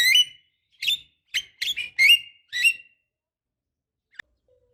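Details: Javan myna calls played as a lure to get young birds singing: six harsh, rasping, buzzy notes rich in overtones, given in quick irregular bursts over about three seconds, then a single faint click and silence.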